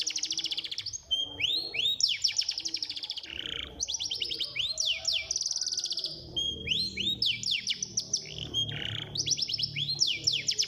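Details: Bird song meant to get caged birds singing daily: shrill, steeply falling whistles strung into quick rattling series, with short clear notes between, several phrases overlapping continuously above a soft low rumble.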